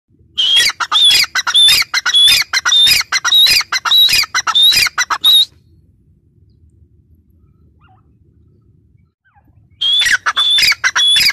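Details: Female grey francolin (teetar) calling: a loud five-second bout of harsh, grating notes, each opening with a thin high whistle, repeated nearly twice a second. A long silence follows before the calling resumes at the end.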